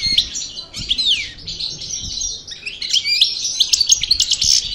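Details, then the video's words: Parva goldfinch from El Bordj, Algeria, freshly out of moult, in continuous song: rapid high twittering phrases mixed with descending slurred notes and a liquid, bubbling run of chirps, faint low knocks beneath. "Chardonneret Parva Cravaty D'el Bordj Sortie De Mue Repassage"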